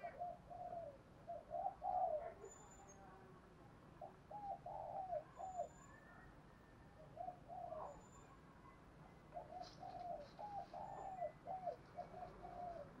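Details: Female spotted dove serving as a decoy, calling to excite males, heard at a distance: repeated soft phrases of low coos with drawn-out endings over steady background hiss and faint high chirps.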